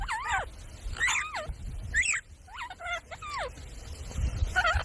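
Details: Parrot from a talking compilation, producing looping whistled notes that rise and fall, given in separate phrases about every second, over a low background hum.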